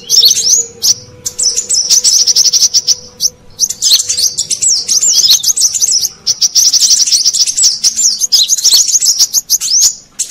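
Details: Brown-throated sunbird call used to lure wild birds: long high-pitched chattering runs of fast, twisting squeaky notes with a few short breaks, and a faint steady tone in the background.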